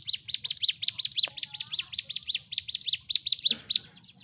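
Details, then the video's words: Sunda warbler song used to provoke other birds, a steady stream of thin, high, down-slurred chirps in tight pairs and triplets, with a low hum underneath. "CIGUN / CIBLEK GUNUNG GACOR TARUNG l Terapi Untuk Pancing EM0SI Burung MACET"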